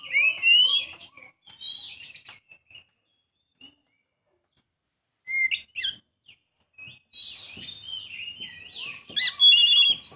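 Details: Young Oriental magpie-robin singing varied whistled phrases broken by pauses, with scattered clicks and knocks between bursts and a fuller run of rich whistles toward the end.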